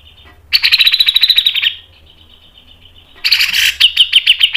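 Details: Grey-cheeked bulbul in a training recording of fast, long ngepik and mbeset song: a quick buzzy trill of about one second, a thin held tone, then sharper clipped repeated notes.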